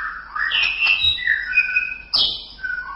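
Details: White-rumped shama singing continuously: loud, varied whistled phrases sliding up and down, a brief rough squawk-like note, then a sharp rising note and a final lower whistle.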